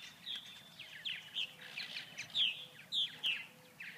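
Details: Several purple martins, inactive and unable to feed on a cold 39°F day with no flying insects in Grand Forks, North Dakota, give overlapping short, rich chirps and gurgled notes, sharp ones every half second or so, over light outdoor hiss.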